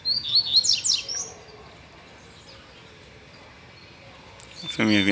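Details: Caged male double-collared seedeater, excited by a female nearby, sings a short burst of high chirps and slurred strokes in the first second; a loud harsh noise cuts in at the very end.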